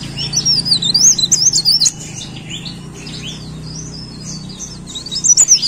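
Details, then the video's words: Leaf warbler singing energetically: a rapid, high, wavy twittering burst of about two seconds, then softer scattered high notes before another quick chattering phrase at the end, over a steady low hum. "CIKRAK DAUN GACOR"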